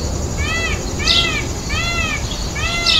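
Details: Peacocks at a zoo, calling during their dance: a series of four loud, arched, nasal harmonic calls, one roughly every 0.8 seconds, with brief high chirps of other birds and constant low background hum.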